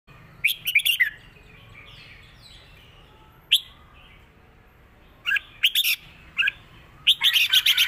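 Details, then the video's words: Caged red-whiskered bulbul singing a southern Thai song pattern used to teach birds: bursts of bright whistled notes at the start and end, a long quiet gap between, and sharp dry clicks over the phrases. "สดจัด!!ร้อง+ริก เพลงใต้แม่บทชัดๆ วนเพลงสวย(ไว้สอนนก)"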